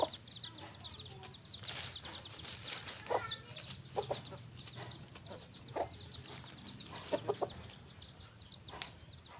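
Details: Farm rooster and hen: low clucks in irregular clusters over steady high, rapid peeping notes, with some bangs and rustle throughout.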